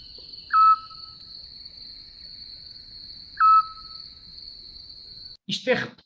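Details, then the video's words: Eurasian scops owl song, a characteristic sound of Mediterranean spring in Portugal: two short, pure, low whistled notes about three seconds apart over a steady high insect hum, then a burst of noise. "E agora vamos ouvir o canto do mocho pequeno de orelhas."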